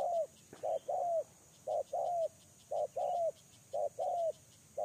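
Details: Spotted dove kept as a lure bird, giving loud, clear coos in quick doubled phrases: a short note, then a longer falling note, repeated about once a second. A steady high ticking runs in the background.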